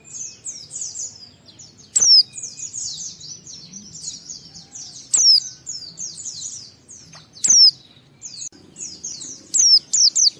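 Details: High, rapid twittering warble from a white-eye, sung to provoke other white-eyes into singing, punctuated every two to three seconds by a single loud piercing downslurred whistle.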